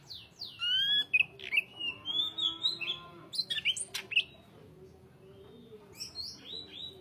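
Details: Song of a greater green leafbird, sung continuously with tight pauses. Clear descending and rising whistles and scratchy chattering notes, loud sharp bursts mid-phrase, a quieter stretch, then more slurred whistles. A faint steady low hum runs underneath.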